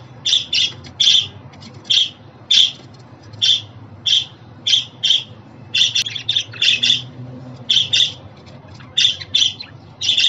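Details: Short, scratchy budgie chirps repeat in pairs and singles at fairly even spacing, calls meant to make a pet budgerigar happy and prompt it to sing.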